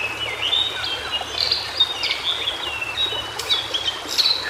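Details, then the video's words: White-browed shortwing, or cingcoang biru, in its natural habitat: a continuous chain of thin high whistled notes, slurred up and down, with a few brief clicks and steady ambient hiss. "Suara Burung Cingcoang Biru Di Habitat Aslinya"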